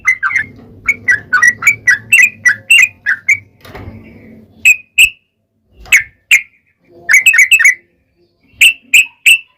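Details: Sooty-headed bulbul singing a long, lively lure song for prompting other bulbuls to answer, with bubbly rising-falling whistles in runs and a brief rustling noise midway.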